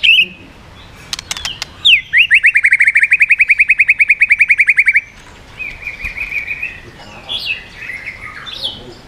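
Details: White-rumped shama singing in the swiftlet-like style, rapid-fire varied phrases with tail flicking, meant to strongly provoke other birds; sharp clicks, then a fast run of about two dozen high repeated notes, followed by softer warbled phrases.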